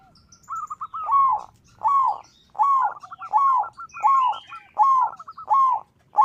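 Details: Local zebra dove singing strongly, its voice meant to challenge rivals and set other doves singing: a steady series of rolled, slurred coos, each preceded by quick clipped notes, recurring roughly every 0.7 seconds.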